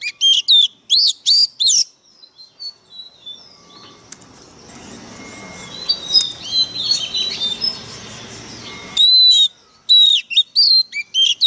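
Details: Decoy Oriental magpie-robin in fighting condition, singing harshly: loud fast bursts of sharp, ringing whistled notes at the start and end, with a long stretch of soft, hissing background and faint distant chirps between them.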